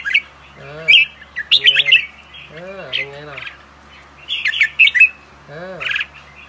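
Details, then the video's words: Young albino red-whiskered bulbuls brought in for breeding utter clusters of sharp squeaky chirps and warbled notes, while a lower, drawn-out nasal voice sounds repeatedly in the background. "Chào Mào Bạch Tạng Non"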